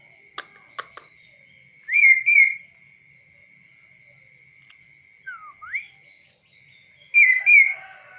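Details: Kaso-kaso bird kept tame and singing from a hand outside its cage: a few sharp clicks, a buzzy double whistle, a pause, then a soft falling-rising slurred whistle and a final buzzy double note, over a steady thin tone.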